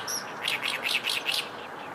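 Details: Oriental reed warbler at close range, about 8 m; a quick run of five harsh, grating chirps in a rhythmic burst, with steady background noise.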